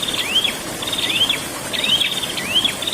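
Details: Prinia song described as rolling song, four upswept whistled notes rising and then dipping, repeated about every three quarters of a second, with a faint steady high insect-like hiss and low background rumble.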